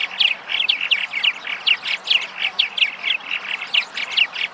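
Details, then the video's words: Massachusetts purple martins back from their wintering grounds in spring, chattering at their nest sites with rapid, bright chirps repeated about twice a second and a busy overlapping chorus. "The Arrival of Purple Martins in Massachusetts"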